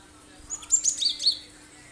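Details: Sharp lure song of a Cinereous tit, played so other birds sing and mimic it: a rapid run of high piercing chirps stepping downward within about a second.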